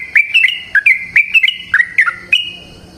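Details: Yellow-vented bulbul, or trucukan, a long rolling lure song for prompting other bulbuls to sing; rapid bubbly whistled notes jumping between low and high pitches, about a dozen in three seconds.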